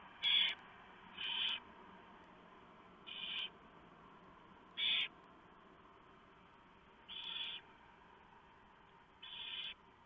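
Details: Barn owls at the nest, 3 November 2015 at 3:59 AM, the male arriving with a huge mouse for the owlets; six short rasping hisses at irregular intervals of one to two seconds, with faint clicks.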